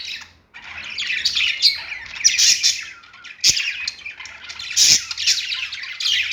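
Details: Pet budgies singing on a perch, a steady, chattering warble of buzzy trills and squeaks broken by a couple of sharp clicks.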